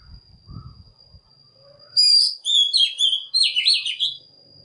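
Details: Lure song of an Oriental magpie-robin meant to call wild birds and provoke singing: low thumps and a faint note first, then from two seconds a lively stream of varied whistled and warbled phrases over a steady high tone.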